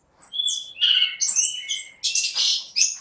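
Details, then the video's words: Unbroken, varied song of an orange-headed thrush in 'gacor' form: overlapping whistles and warbles cascading up and down, with a loud harsh buzzy burst near the end. "Burung Anis Kembang GACOR"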